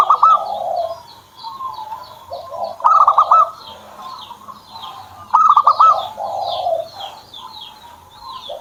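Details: Zebra dove, kept bird, repeating short bursts of rapid pulsed cooing roughly every two and a half seconds. Soft lower coos follow each burst, while many high chirping notes from other birds continue in the background.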